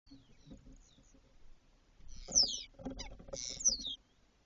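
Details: A female Spotless starling at her nest in Doñana Natural Park in early spring attacks a gecko found inside, giving two harsh, rasping bursts with thin, high, falling whistles about a second apart, after faint scratchy rustling.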